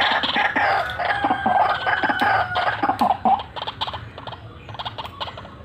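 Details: Actively calling white-breasted waterhen giving a rolling series of rough, rapid pulses, about three or four a second. The series is loud at first, then fades into softer, spaced notes toward the end.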